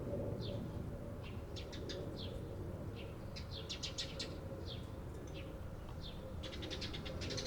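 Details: Eurasian tree sparrows recorded on 28 April 2022, giving short, sharp chirps in scattered bursts with a faster cluster near the end, over a steady low rumble.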